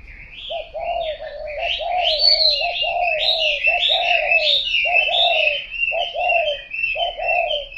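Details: Long bout of spotted dove cooing, a chain of soft rolling coos that breaks into separate paired phrases near the end, accompanied by steady high chirping from other birds.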